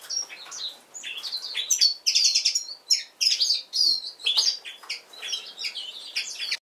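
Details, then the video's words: A yellow-throated bunting warms up its song with a run of high, thin chirps and short buzzy trills, steady and unhurried, with no other sounds standing out. "Желтогорлая овсянка"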